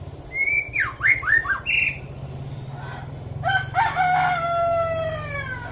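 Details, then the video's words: White-rumped shama singing in the morning, Prambanan, Klaten, Central Java: a phrase of a level whistle and quick swooping slurs, then a rooster crows loudly in a long falling call for about two seconds. "KICAU BURUNG MURAI BATU DI PAGI HARI"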